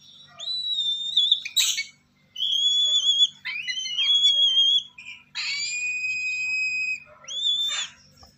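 A young lesser sulphur-crested cockatoo gives five drawn-out, nasal, whistled squeals, each about a second long, with short pauses between them in a quiet room.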